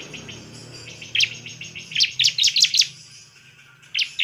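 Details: Bar-winged prinia song for provoking other prinias into singing: a quiet start, then a quick run of six piercing high chirps, a pause, and two more sharp notes, with a low hum underneath.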